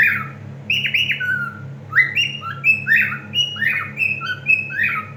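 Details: A male cockatiel sings a run of bright whistled and warbled notes, some rising, some falling, trying to grab a female's attention while she eats.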